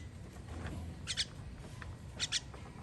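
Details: Baby birds being fed, recorded 21.06.23: two bursts of sharp, high double chirps, each pair quick and bright, about a second apart, over a steady low background rumble.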